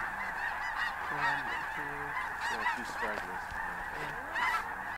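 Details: Snow Geese blasting off together before dawn on a cold December morning at Bosque del Apache National Wildlife Refuge; a continuous wall of many-voiced honks, with nearer single yelps rising above the crowd noise.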